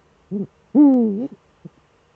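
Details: Duetting Eurasian eagle-owls in the Eifel, male at the nest, December evening at 17:25: a short soft double note, then a strong deep sustained hoot that dips slightly before ending, followed by faint short low notes.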